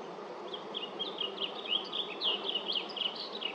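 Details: Blue grosbeak singing at LaFarge Sandpits on July 8, 2024: a rich, fast warble of sliding, slurred notes running continuously over a steady low buzzing hum, likely insects.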